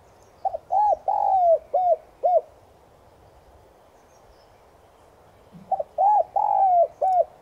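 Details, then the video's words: Caged spotted dove lure bird in morning song, "Son" voice; two complete coo phrases about four seconds apart, each of hooked short notes around one long gliding coo, quiet background. "Cu gáy MỒI VÍP GÁY GỌI BUỔI SÁNG kích bổi nhanh nổi/Tiếng cu gáy Giọng Son kích bổi nhanh gáy"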